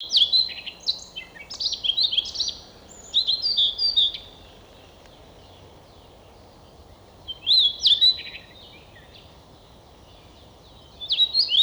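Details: Siberian rubythroat singing in a forest near Novosibirsk, Siberia, Russia: bursts of varied, high, scratchy and whistled phrases lasting a few seconds, separated by pauses of about three seconds, over quiet background hiss.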